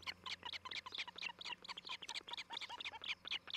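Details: Osprey calling at its nest in Charlo, Montana, on 11 July 2018. Dense, slightly harsh high chirps tumble over one another in a quick, uneven stream over a low electrical hum.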